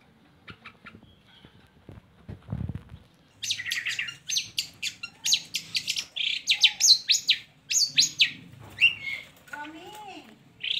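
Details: Long-tailed shrike song meant to coax lazy shrikes into singing: after faint ticking notes, a varied run of harsh, chattering and whistled phrases, some sliding, fairly loud and irregular.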